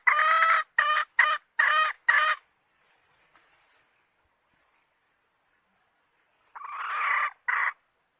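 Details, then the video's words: Hen giving a rapid series of five short, harsh, clucking notes, then a pause of several seconds before two more rasping calls, the first longer and rising in strength. "Suab Poj qaib seev zoo heev"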